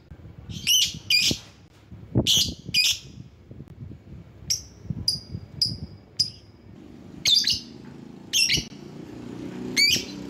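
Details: Lure recording of a lovebird meant to provoke rivals. Piercing high chirps come in paired bursts, then a run of clipped whistled notes, then more harsh double chirps over a faint low hum.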